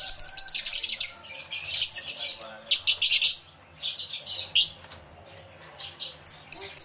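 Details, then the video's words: Crowded aviary of lovebirds, live stereo capture with two external microphones: loud shrill chirping in dense bursts, a short lull, then more scattered sharp squeaks. "Lovebird Sounds Aviary Series V1"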